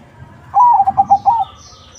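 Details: Crossing-style song of a zebra dove, used to lure other doves into answering: one clear phrase of five or six quick, rolling, bubbly coos lasting about one second, with faint high chirps behind it.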